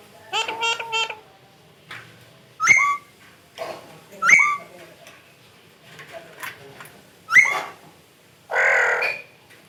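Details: Talking pet parrot in a small room: an opening run of harmonic, voice-like syllables, then several sharp whistled chirps roughly every two seconds, ending with a broad rasping squawk.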